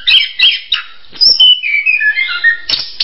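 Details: An orange-headed thrush sings rich whistled phrases, a stepwise falling sequence of clear notes after a few chirpy opening bursts, ending with sharp chirps.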